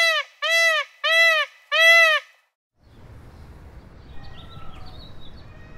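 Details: In a forest, an Indian peacock gives four loud, nasal, arching calls in quick succession, about half a second apart. Soft background hiss and faint rustling follow.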